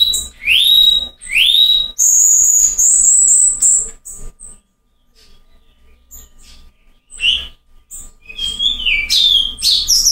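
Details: Rare 'Silvao' song of a Cuban bullfinch in Cuba: two rising slurred whistles, then a thin, sustained, very high whistle and short sharp notes, a quiet pause, and further high twittering phrases.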